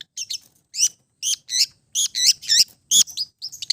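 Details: Relaxed mimicry-rich song of an East Java long-tailed shrike, used to encourage silent birds; loud looping whistled phrases with warbling slurs, given in quick bursts separated by short gaps.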